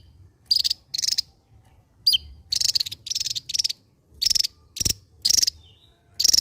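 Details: Java-endemic Javan white-eye singing 'ngebren': a fast series of high, pulsed buzzy rattles, each under half a second, in irregular bursts with brief thin whistles in between.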